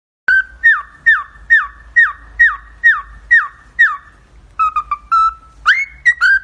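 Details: Pet cockatiel whistling a tune: a run of about nine clear, slurred notes repeated roughly every half second, followed by quicker chirpy phrases and rising whistles.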